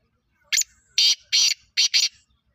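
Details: Partridge calling loudly and close: a harsh, grating, high-pitched note, a short pause, then two quick pairs of rasping notes, five notes in all across about two seconds, with a quiet background.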